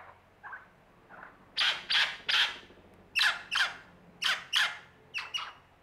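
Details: An Australian lyrebird performing gives harsh, raspy squawks in quick pairs, roughly one pair each second, after a few softer opening notes; a low hum underneath.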